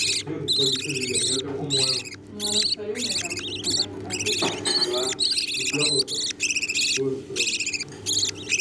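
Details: Budgerigar young being fed by the adults; insistent high, harsh, trilling begging squeals in uneven bursts with short gaps, softer murmuring notes lower down and a steady hum.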